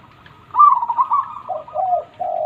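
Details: A loud, fast stuttering trill from a local zebra dove with a big voice, then two falling mellow coos and a sustained low note.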